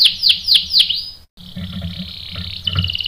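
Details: Canary singing, used as a lure to provoke other canaries: four loud down-swept chirps, a sudden cut, then a softer continuous rolling trill with low knocks underneath.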